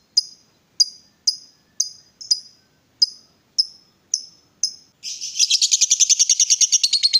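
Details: Excited lovebird provoked into calling: a series of sharp high chirps spaced about half a second apart, then breaking into a fast, dense rattling ngekek chatter at the end.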